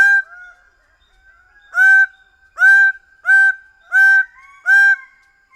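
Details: Greater bird-of-paradise calling in a series: a soft opening note, then five loud, ringing, honk-like calls repeated roughly every 0.7 seconds in an otherwise quiet setting.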